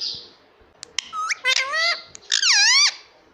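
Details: Indian ringneck parakeet talking, saying "mummy" and "papa": a few clicks, then a run of squeaky syllables and a long, dipping, nasal final word.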